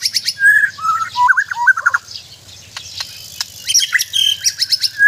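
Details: White-rumped shama of Sabah, Borneo, in mental training: varied whistled phrases with rising and falling slurs, a brief quiet gap, then sharper high notes, over a low pulsing mechanical hum.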